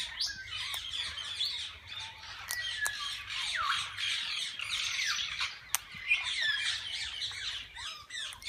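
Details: Flock of assorted parakeets inside a walk-in aviary at a parrot zoo where visitors feed and hold them; steady wall of grating squawks and twittering with a few sharp clicks cutting through.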